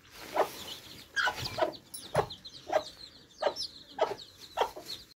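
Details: Baby chicks quenching thirst at fresh water; a steady series of short clucks repeats about every half to one second, with faint high peeping chirps above.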